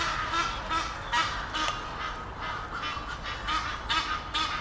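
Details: Rasping, uneven honks from an Egyptian goose pair courting in a tree near Henley upon Thames, delivered roughly twice a second with some louder bursts.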